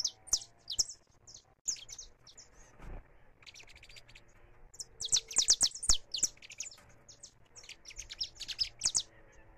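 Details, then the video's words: Free saffron finch singing in a live recording: loose bursts of high, sharp chirps, a quieter stretch, then dense rapid chirping phrases, over a constant low hum. "CANÁRIO DA TERRA CANTANDO LIVRE"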